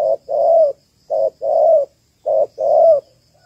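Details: Female spotted dove, Malaysian type, calling to rouse males, a call used with traps. Three short-long pairs of rounded, hollow coos repeat at a steady pace of roughly one pair per second, with a clean quiet background.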